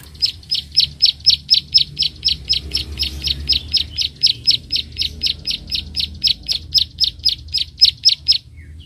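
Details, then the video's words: Bar-winged prinia giving its clicking call while fighting a rival: a long, steady series of sharp, high clicks, about three to four per second, continuing for nine seconds with little pause and a quiet low background. "prenjak klik gacor narung lawan"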